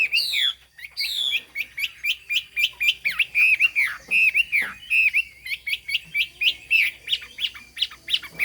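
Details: Chinese hwamei delivering a fast, varied song: high sweeping whistles open into a rapid string of short, clipped notes, about one per second or quicker, bright and ringing throughout.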